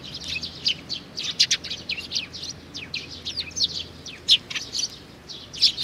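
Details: In June 2019 a juvenile sparrow chirps in short, high, buzzy notes, irregularly spaced, with some louder emphatic peaks.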